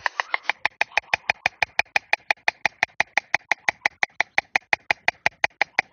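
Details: White stork clattering its bill on its nest at dawn, 30 August 2022, in heavy fog, as a farewell before migrating until next spring: loud, even, dry wooden knocks, about three per second, sustained throughout.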